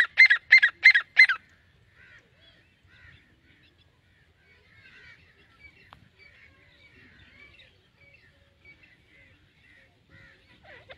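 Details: Four loud, clipped grey francolin notes in quick succession at the start, followed by faint scattered chirps and near silence.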